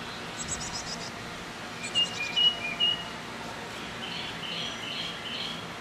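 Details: Chickadees at a nest box, young being fed shortly before leaving the nest: faint rapid high-pitched chips in short runs, then several clear whistled notes near the middle, over steady background hiss.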